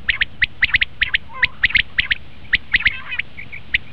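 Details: Common quail calls for luring quail when hunting: a dense run of sharp, clipped notes in quick pairs and triplets, with a brief burst of chattering at the end and a few soft notes trailing off.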